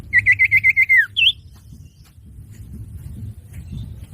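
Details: Common iora (cipoh) song used as a trapping or training lure: a fast buzzy trill of about seven pulsed notes sliding downward at the end, followed by one high upslurred whistle, then low background noise.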